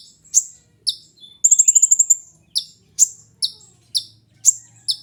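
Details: Sharp, high chip notes from a sunbird, intended as a lure or tutor for captive songbirds, punctuated by one fast trilled burst of about eight quick notes near the start, then chips resuming every half second.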